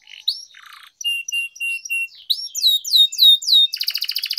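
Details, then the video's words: Canary song for singing training: soft warbles, a row of steady pure whistled notes, loud descending sweeps, then a rapid rattling trill of high notes. "Canary Singing Training, Kenari Gacor Ngerol Panjang, Pancingan Kenari Macet, Masteran Kenari Paud"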